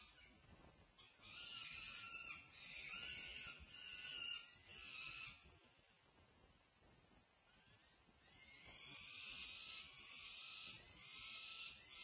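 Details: Nest-cam peregrine falcons at UC Berkeley on 1 June 2024, the female feeding her daughters as the male joins in. Long runs of harsh, wailing screeches, pausing midway before resuming, over a low continuous rumble.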